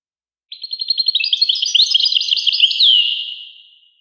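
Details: European goldfinch song opening with a rapid, accelerating chatter of short notes, then a tumbling sequence of sweet twitters, finished by a clear downslurred whistle that trails away.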